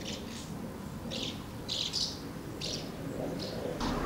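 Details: House martins gathering at two nests on 24 August 2012 while feeding young; scattered short scratchy chirps in brief bursts over a low rumbling background.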